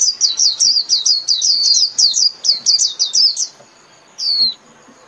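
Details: Rapid, high-pitched twitter from a Japanese white-eye calling its flock, roughly twenty quick downward-sliding notes in a chattering stream, followed by a short gap and a single drawn-out falling call.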